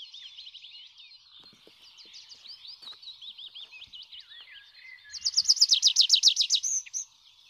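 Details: Tree Pipit song: a high, varied twittering of quick, rapidly repeated motifs, ending in a loud, fast run of about fifteen identical strong notes before stopping abruptly.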